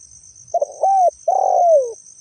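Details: Spotted dove, natural voice used as a lure call: a short stuttered coo, a smooth level hoot, then a longer coo that slides downward, against a steady thin high whine.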